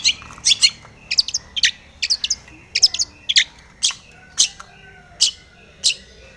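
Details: Long-tailed shrike singing aggressively toward a rival: scratchy double notes and short harsh bursts, slowing into single rasping calls spaced about a second apart.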